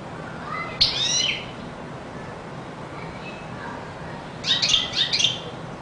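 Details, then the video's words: Two short bursts of rapid, high twittering from a European goldfinch, separated by a few seconds of near silence, each a quick cluster of sharp rising and falling notes. "Καρδερίνα πυροβολάει!!! 😍 (Carduelis Singing)"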